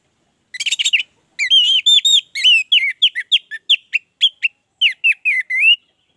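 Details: Orange-headed thrush in full song, used as a training lure for captive birds: a quick burst of high chirps, then a run of clear, slurred whistled notes around the middle pitch, delivered rapidly with short gaps.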